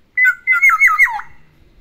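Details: Caged Black-naped oriole singing an imitation of other birds at home: a short note, then a fast rolling series of looped, descending warbles lasting about one second.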